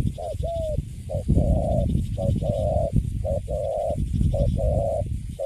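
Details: Wild-caught spotted dove of the Cấn Sấm type now kept in a cage, with cooing called quite good: a run of paired mid-pitched coos, a short note then a longer steady one, repeated about once a second under heavy low rumble.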